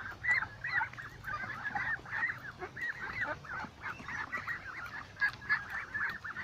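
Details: Ducks gathered in a flock by a lake give continuous overlapping nasal calls, short honks tumbling over one another without pause, with several birds calling together throughout.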